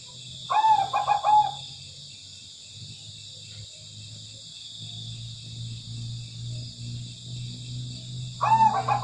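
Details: Zebra dove, a tame bird singing freely: a short burst of rapid, soft cooing notes, a long stretch of low humming background, then another cooing burst beginning at the end.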